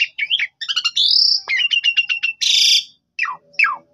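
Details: Javan pied starling in lively full song, used as a lure to make a quiet bird respond; chattering notes, a drawn-out rising whistle, a clipped series, a harsh buzz and falling slurred notes.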